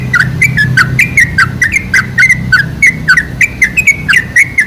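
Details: Sooty-headed bulbul singing, played as a lure to make bulbuls sing. Crisp, slurred whistled notes follow each other in quick, fairly even pairs and triplets, bright and clear, above a low mechanical hum.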